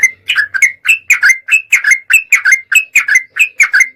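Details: Sooty-headed bulbul singing on a lure track meant to trigger singing: crisp paired and tripled bubbly notes in quick succession, about three bursts per second, with clean silence between them.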